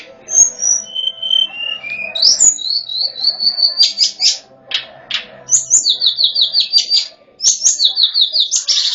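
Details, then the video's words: High whistled song of a lesser shortwing, played as a lure for wild birds: steady drawn-out whistles stepping downward, then rapid repeated buzzy chattering phrases that return in bursts. "suara pancingan/ pikatan tledekan gunung bahan.. langsung nyaut"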